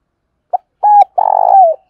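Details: Spotted dove giving a stimulating 'thúc' and calling coo, played by keepers to rouse wild doves: a short soft note, a level hooting coo, then a longer purring, rolling coo that slides downward at the end, in quiet surroundings.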